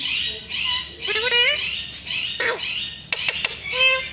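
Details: Pet rose-ringed parakeet, a ringneck parrot, making soft raspy chatter and a few thin rising whistled notes, with sharp clicks and a couple of brief squawks.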